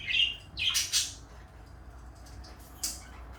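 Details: A blue and a light yellow pet parakeet produce a short whistled note, then harsh, broad squawks in quick succession. A long quiet stretch follows before one last brief squawk.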